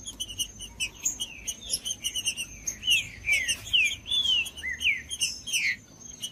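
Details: Green-winged saltator singing to stir a cold, silent bird into song: quieter chirps at first, then a strong series of bright downward-slurred whistles, two to three each second.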